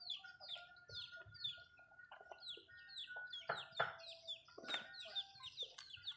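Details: Malay chickens in a home backyard, eating food: repeated high, down-slurred peeps in quick series, a few low clucks, and occasional loud pecking taps.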